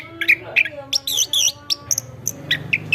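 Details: Chestnut-backed thrush song for tutoring other birds: spaced clear whistled notes, a couple of warbled phrases and bright high chips, with a low hum behind.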